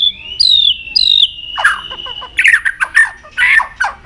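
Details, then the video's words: White-rumped shama singing varied notes while continuously flicking its tail; two clear falling whistles over a long sustained tone, then a series of harsh scratchy chatter notes. "chòe lửa hót nhiều giọng đảo giọng đập đuôi liên tục"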